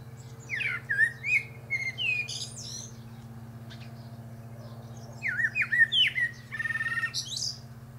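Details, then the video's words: Singing atop a pear tree, a Common Blackbird gives two bursts of rich, slurred whistles that slide up and down, finished with thin high chatter, with a quiet gap between them and a constant low hum behind. "Blackbird Singing"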